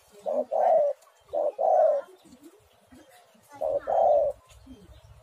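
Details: Spotted dove (tekukur) cooing as a lure to make doves sing: three cooing phrases, each a short note followed by a longer rolling coo, spaced irregularly, with low rumbling noise near the end.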